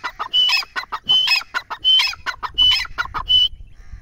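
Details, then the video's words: Grey francolin in full voice: five loud phrases, each a sharp high whistle followed by harsh chattering clucks, delivered in a fast regular rhythm before stopping abruptly. "teetar ki awaz | teetar ki boli"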